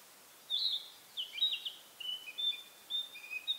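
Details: Narcissus flycatcher singing with all its might from one pine branch in a pine forest in spring, seemingly claiming territory; clear whistled phrases, several short rising and falling bursts separated by brief pauses.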